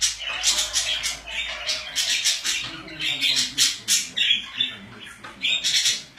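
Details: Several pet budgies chattering almost nonstop, a dense mix of raspy squawks and quick chirps overlapping throughout.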